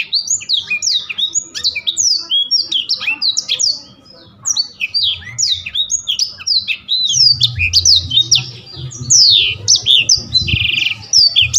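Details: Bursts of high, sharp Blackthroat chirps and quick falling whistles come in rapid runs, with a short gap near four seconds and a low rumble later.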